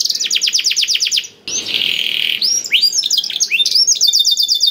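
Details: Canary singing to encourage quiet canaries: a quick rattle of repeated high notes, a harsh buzzy phrase, then mixed whistled slurs ending in a fast trill.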